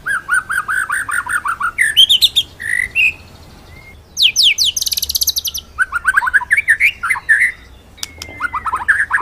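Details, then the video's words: Master song of a white-rumped shama for training birds, rolling 'ngeroll' style: a quick series of mid-pitched whistled notes, rising slurs, a burst of high rapid trilling, then varied fluty whistles. "BURUNG MURAI MASTERAN NGEROLL NEMBAK"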